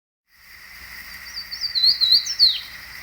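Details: Old recording of a Fan-tailed Warbler on a mountain above Tuxtla Gutiérrez, Chiapas, Mexico, 26 May 1953: a brief burst of thin, high, wavering notes over about a second, against a steady hiss.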